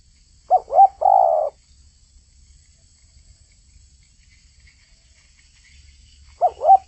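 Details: Spotted dove singing persistently: two quick low coos followed by a longer, drawn-out purring coo, the phrase beginning again about six seconds later over a faint low hum.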